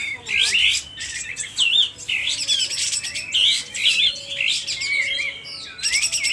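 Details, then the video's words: Loud, excited sooty-headed bulbul of Aceh with its tail opened. Rapid, jumbled, high chattering phrases with slurred whistles, broken by brief pauses roughly every second. "burung kapas tembak asli aceh emosi vul buka ekor suara kencang"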